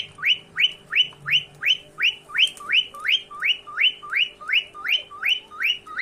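A cockatiel gives a rapid series of bright, rising whistled chirps, about three every second.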